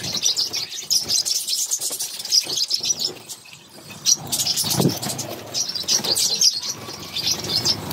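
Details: Feeding time for a brood of six budgerigar chicks and their mother; steady high, wheezy chirping in repeated bursts, pausing briefly midway, with occasional knocks and rustles.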